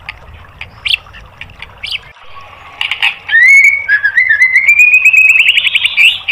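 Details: Caged-bird training song of a white-rumped shama: scattered short chips at first, then a sustained whistled phrase that wavers and climbs gradually in pitch over about three seconds.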